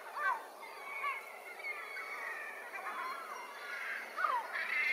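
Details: A second-year Caspian gull (Larus cachinnans) at Cestas gives short, harsh, downslurred calls a few seconds apart, over a steady murmur of other birds calling.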